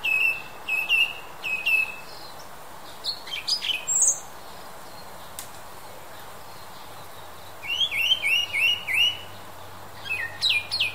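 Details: Western European song thrush singing in separate bursts. Repeated short whistles and a thin squeaky phrase are followed by a quiet gap, then a rising whistled figure given five times and more high notes. A faint low hum runs underneath.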